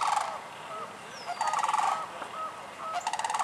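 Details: Sandhill cranes in Michigan, recorded sometime between March and June: several rolling, rattling calls come in bursts near the start, middle and end. Each burst is a quick pulsed trill with a throaty, buzzy tone. The background stays quiet between calls.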